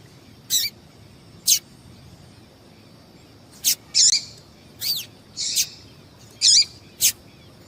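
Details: Female yellow-bellied seedeater calling to excite males, a recording used by breeders who enter singing contests; high, short chirps and thin descending notes come in scattered bursts, about eight over several seconds, over a steady high hum.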